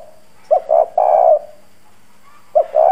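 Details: Hoarse-voiced spotted dove used to lure wild doves. One complete throaty phrase, a short note then two longer coos, is followed after a pause by the start of another.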